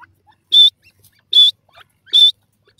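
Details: Grey francolin, called irani dakhni teetar, calling: three loud, clear, high whistled notes, each short and fairly level in pitch, spaced under a second apart, with a few faint soft chirps between them against a quiet background.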